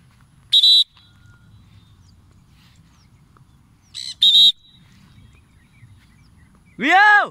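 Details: Triton cockatoo flying free, uttering two short raucous screeches and ending with a long arching, strongly harmonic squawk; low murmur of Indonesian speech between calls.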